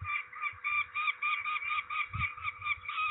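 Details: During ringing at Trzebież, Poland, 13 May 2019, peregrine falcons give a steady run of rasping, cackling notes, roughly three to four per second, with occasional low thumps and rustling beneath.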